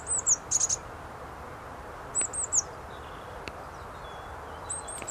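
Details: On a sunny, warm 26 March 2019, a Eurasian blue tit sings in trees at Ivybridge Cemetery: short bursts of three or four very high, thin notes about every two seconds, over soft hiss.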